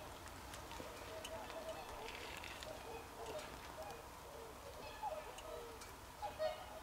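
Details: Swans calling on 24 December 2020: a chorus of soft, nasal, trumpeting honks from several birds, overlapping and irregular across the whole stretch, with faint clicks and light background hiss.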